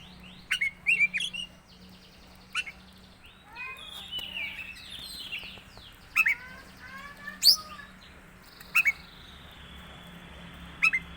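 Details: Strange calls from an Oriental magpie-robin of the teler type: clusters of bright whistled chips and downslurred notes, a rapid stuttering series midway, mixed with steady low hum.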